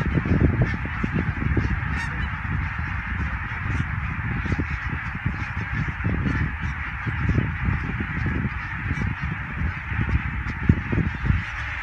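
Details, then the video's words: Thousands of greylag geese flying over the Elbe dike at Wedel near Hamburg, 12 April 2020, phone-recorded: a steady mass of distant honking over heavy low wind rumble, with scattered sharper calls standing out. "Schwarm von Tausenden von Gänsen an der Elbe bei Wedel"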